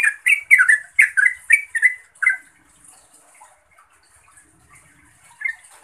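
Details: Yellow-vented bulbul calling a rival or companion: a quick burst of loud, bubbly chirps for about two seconds, then near silence with one faint note near the end.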